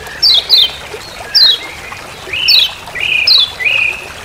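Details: Lemon-bellied white-eye in forest on Lombok giving its 'ciak ciak' call, used as a master sound for training birds: short, sharp notes slurring steeply downward, given singly or in pairs, with a few lower, flatter chirps.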